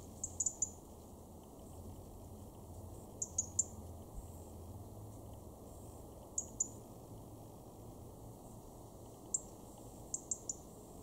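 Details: A European robin in a garden in Weener, East Frisia, northwest Germany, in October 2022 gives sharp, high ticking calls in quick groups of two or three, about every three seconds, over a steady low rumble.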